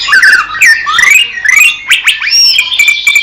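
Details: Greater green leafbird from Indonesia, recorded in nature, singing liquid slurred whistles that rise and fall in quick phrases, followed by sharp downward notes and a long thin sustained tone.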